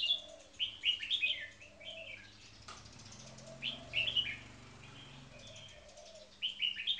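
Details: Caged red-whiskered bulbul singing short whistled, warbling phrases in bursts with pauses between them, over a steady low hum of background noise and a brief flutter of wings.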